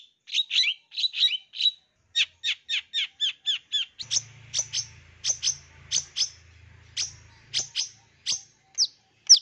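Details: Long-tailed shrike song crammed with mimicry, used to lure young wild-caught forest birds kept in groups: a run of rapid, sweet, buzzy high notes, then sharper spaced chips over a low hum.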